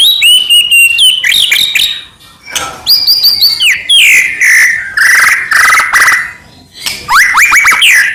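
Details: Medan-type shama in full song, used as bait to provoke rival shamas into replying. Clear whistles, fast stuttered notes and long buzzy, descending phrases alternate, separated by short pauses.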